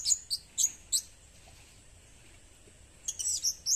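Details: Blue-crowned hanging parrot lure calls: three sharp, very high chirps about a third of a second apart, a quiet gap, then a quick cluster of thin squeaky notes, over a faint low hum.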